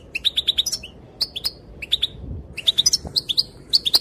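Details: A female goldfinch gives calls that reportedly set males dancing: crisp high chirps in rapid runs of three to five, with brief pauses and a few upslurred notes, over faint background hiss.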